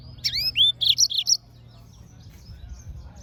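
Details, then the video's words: Yellow-fronted canary singing: two clear whistled slurs sweeping upward, then four quick high notes in a tight burst, followed by quiet low background hum. "Yellowfronted canary - Serinus Mozambicus - Beautiful Bird Chirping"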